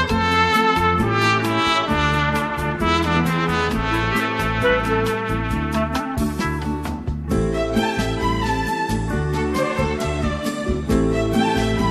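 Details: Brass band music with trumpets and trombones plays throughout, with no animal calls audible.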